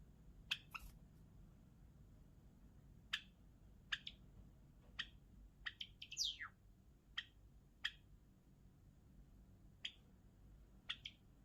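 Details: Java sparrow song: sharp high chirps spaced about a second apart, broken midway by a quick run of notes ending in a sweeping, slurred descending phrase.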